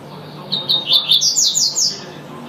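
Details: Double-collared seedeater (coleiro tuitui) singing a rapid, high twittering phrase of short repeated notes that climbs into buzzy trills toward the end, over faint low background hum.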